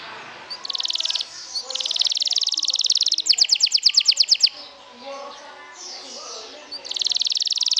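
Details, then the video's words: Canary song played to provoke other canaries: dense buzzy trills in two blocks, then a loud, pulsing trill of about a dozen ringing notes, a quieter pause, and another buzzy trill starting. "PIKATAN KENARI, PANCING EMOSI"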